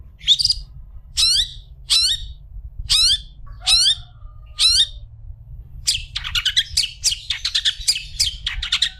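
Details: Long-tailed shrike recorded as a tutor for other shrikes: five evenly spaced harsh, down-slurred notes, then a fast run of scratchy chattering bursts, above a low background hum.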